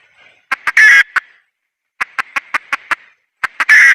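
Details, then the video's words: Red junglefowl female calling in bursts: two clucks and a loud, rough squawk, a silent gap, then a rapid run of six clucks. A final squawk follows a pair of clucks. "Suab poj qaib qus see zoo heev"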